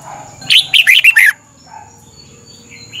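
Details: Red-whiskered bulbul singing a short doubled phrase meant for young caged birds to copy: five fast, loud, descending whistled notes packed into under a second, followed by faint background chirps.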